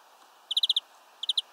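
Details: Bird recorded in mid-October 2021 in the afternoon, giving a quick run of five sharp, high chirps followed by a shorter burst of three, over a steady low hum.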